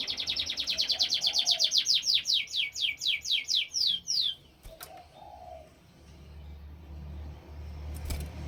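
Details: Canary song: a long high trill of repeated notes that slows and grows more spaced toward the end, followed by quiet with a couple of knocks.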